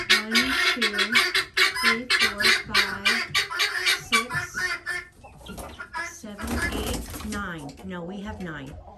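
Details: Guineafowl returning to roost at night while being shut in: loud, grating cries repeated fast and steadily for four seconds, then mixed with a person talking and overlapping cackles.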